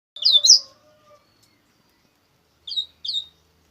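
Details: Double-collared seedeater singing the style called coleiro bruto: a loud burst of two sharp, downslurred high whistled notes, a pause of two seconds, then two shorter matching slurred chirps; a faint low hum underneath.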